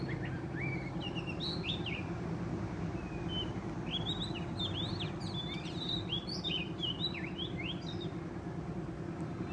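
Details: Vigorous song of a wild Oriental magpie-robin at a trapping site: sweet, slurred whistles and short up-and-down phrases delivered irregularly above a constant low droning background.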